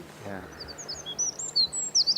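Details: Eurasian wren, around 6 a.m. along the river in Oxford, pours out quick, thin, very high notes in a loud, tumbling burst, a tiny bird with a huge voice; a man's voice is heard briefly at the start.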